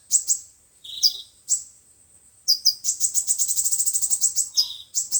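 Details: Sunbird song of the five-colour and seven-colour kinds, played through a speaker to lure birds for trapping: high thin chips and a brief warble, a pause, then a fast rattling trill of evenly spaced high notes ending in more chips.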